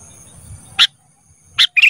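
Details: Kutilang emas (golden bulbul) training recording for cage birds: after a low murmur, a sharp bright note, then two quick chirpy notes close together near the end.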